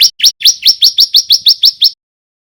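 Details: Young male bar-winged prinia of the white-breasted crystal type, learning the loud 'gacor' song with sharp 'nembak' notes, used as a lure bird: a rapid run of about ten sharp, rising chirps, evenly spaced and clean.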